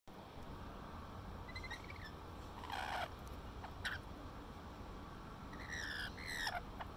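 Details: Rainbow lorikeets at Little Manly, Sydney, Australia, conversing while eating grapes: short harsh, screechy calls with a rising or falling tone, given in scattered bursts, one louder screech near the middle, over a steady low background rumble.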